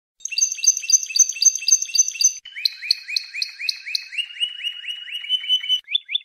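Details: Spanish Timbrado canary song used as training audio for canaries in 2014–2015: rapid repeated high tours, a fast-pulsed trill shifting into a lower series of rising slurred notes, about four per second.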